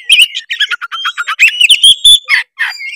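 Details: Tretes oriental magpie-robin lure song full of mimicked fills, meant to make rival birds sing; fast stuttering chips and warbled notes, a steady high whistle, then two rough burry calls.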